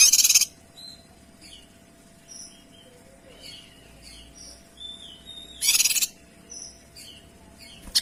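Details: Energetic Kinoy song: two loud buzzy trilled blasts several seconds apart, with many short high whistles, slurred notes and chirps filling the gaps.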